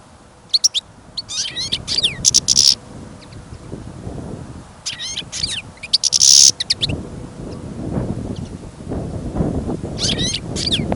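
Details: Caged goldfinch taken on a snowy, windy trapping trip gives scattered short bursts of high twittering and buzzy notes, several seconds apart, while strong low wind rumble fills the background.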